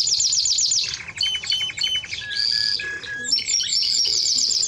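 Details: Timbrado Español canary in song, shifting from fast high trills to a lower rolling tour, a short steady whistle, then buzzy phrases and bright trilled notes.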